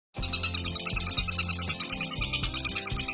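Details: Long-tailed shrike (cendet or pentet) from Banyuwangi, singing steadily while held in the hand: a fast run of high, sharp chirping notes, about six per second, over steady background music.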